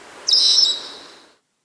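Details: A Senegal parrot (Poicephalus senegalus) at Verona on 1 September 2012 gives a single shrill, harsh, buzzy call about a second long, fading at the end.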